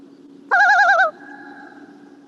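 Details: Common Loon tremolo, given when a predator or humans come too close: a loud half-second burst of rapid, quavering, laugh-like warbling, fading to a faint drawn-out tone over a low steady hum.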